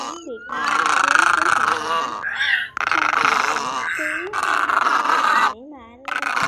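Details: Egrets heard in a night-trapping lure for migrating birds: repeated coarse, raspy croaks in long runs, broken by brief squeals and faint high chirps from other birds.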